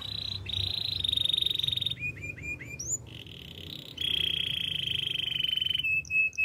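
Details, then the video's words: Canary song with a long buzzy rolling trill, a run of short rising chips, a sharp upswept whistle, then another sustained rolling trill ending in clipped bright notes. "Master canary singing make your canary will sing everytime"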